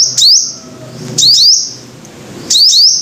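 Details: High, sharp sunbird phrases from a five-coloured sunbird: three bursts, each of rapid rising slurs run into a held shrill tone, separated by quiet gaps of about one second; low hum underneath.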